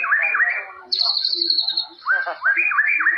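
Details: White-rumped shama from the forest singing jalilin-style: looping upswept whistles, a long high drawn-out whistle, then more rising slurred notes.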